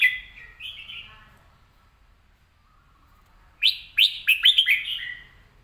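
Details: Song of a caged red-whiskered bulbul: a quiet warbled phrase, a pause, then a loud burst of five or six quick, sharply rising whistled notes.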